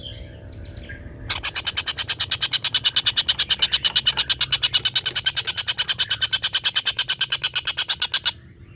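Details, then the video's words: Long laughing call of a collared kingfisher, kept as training audio for white-rumped shama contest birds: a steady, strident chatter of dozens of quick harsh notes running for about seven seconds without a break. "tengkek buto ngekek panjang"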